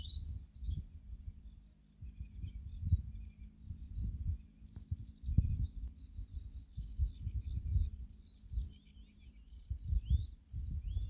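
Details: Birdsong at sunset in Topilec Kolonia: high, twittering song with quick chirps and slurred whistles over a steady low rumble; bird.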